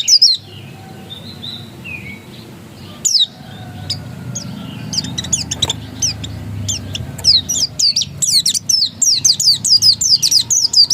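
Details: Oriental white-eye singing insistently: scattered thin high notes and soft falling whistles at first, building into a rapid run of sharp downslurred chirps near the end, over a low background rumble.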